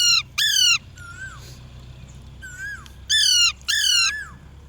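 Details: Parrot giving loud harsh squawks with strong stacked harmonics, in pairs of short calls separated by quieter falling whistled notes and about two seconds of near silence.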